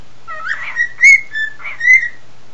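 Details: Pet male cockatiel singing in response to its owner's whistling; a few short, rising and level whistled notes rich in overtones, spaced under a second apart, with a low background hum.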